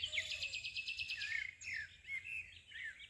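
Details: Birds chirping: a fast run of bright, evenly pulsed high notes in the first second and a half, then scattered high chirps and short slurred whistles. A soft, low, wavering tone sits beneath at the start.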